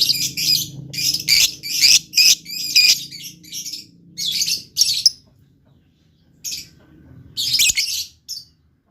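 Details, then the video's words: Blue lovebird, a caged pet bird, chattering loudly: bursts of harsh, high, buzzy chirps and squeaky squawks in quick runs, pausing near the middle before a final flurry; faint low hum underneath. "LOVE BIRD GACOR"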